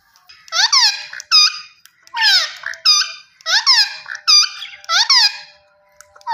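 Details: Shrill, grating screeches from a green ringneck parrot. Paired sliding and flat calls repeat in four groups over six seconds against a quiet background.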